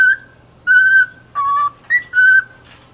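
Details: Cockatiel giving rich, steady whistles, each held about a third of a second, the middle one lower, in a short uneven series.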